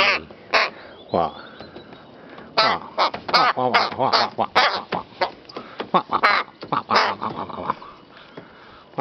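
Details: Rook playing with a feather and a flower, calling in a rapid series of hoarse, harmonic caws and croaks of varied length, while a person talks nearby.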